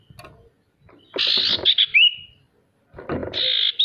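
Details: Male sirtu song used to prompt lazy birds to sing, with two loud buzzy rasping bursts, the first ending in a short rising whistle, and scattered low knocking noises between them.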